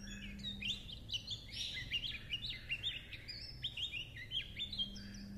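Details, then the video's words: Chattering líu chuyện song of a Japanese white-eye: quick high twittering with many short downward-slurred whistles strung into a lively, unbroken stream, with a faint low hum underneath. "Âm thanh Khuyên líu chuyện"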